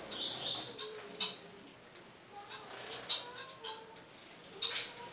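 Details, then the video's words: A male blue-black grassquit courting its female, giving its "tui tui" call as short, high, buzzy bursts at irregular one-to-two-second intervals, with fainter lower whistles from other birds behind. "TIZIU TUI TUI GALANDO SUA FÊMEA"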